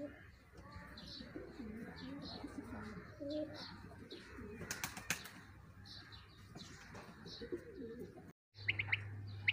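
Quail giving soft, short chirping notes, repeated irregularly, over a murmur of background noise with brief wing-flutter sounds and a cut near the end.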